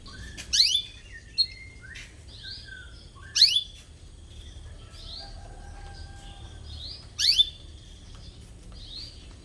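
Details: Spirited canary chirping "cuit cuit" in search of a rival, suited for training young birds; three loud, sharply falling chirps roughly three to four seconds apart, with scattered quieter high notes in between.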